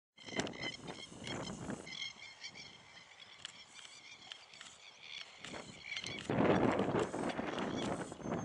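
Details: Masked lapwing (Vanellus miles) at Springlawn, Narawntapu National Park, Tasmania, on 17 November 2014, giving harsh, strident notes in quick repeated bursts, with low rumbling background noise throughout.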